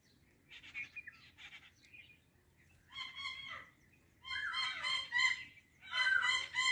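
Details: Indian parrot talking: a few faint harmonic chatters, then louder, rich, voice-like bursts with stacked tones in the last four seconds, each lasting about a second, over a quiet low hum.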